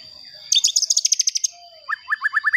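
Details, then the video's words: White-rumped shama singing to provoke other shamas, a very fast high rattling series of notes, then a set of short rising whistled notes repeated about five times. "Pancingan Murai Batu Agar Bunyi Ampuh Bikin Emosi Murai Batu Lain"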